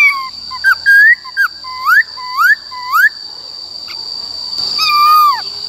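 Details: White-cheeked laughingthrush in forest-style song, used to coach wild-caught and young birds. A burst of short whistles, then three upslurred notes about half a second apart, a pause and a falling whistle, with a steady high tone underneath.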